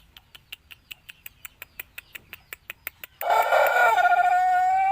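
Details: A run of sharp, evenly spaced clicks or taps leads into a loud Pelung chicken crow from Plered, Purwakarta Regency, which begins rough and then settles into a clear, steady, harmonic-rich tone.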